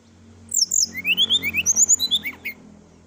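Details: Sooty-headed bulbul singing a full, energetic song. It opens with high sliding notes, then runs a quick series of about a dozen bright, rising, whistled phrases. A low steady hum sits underneath.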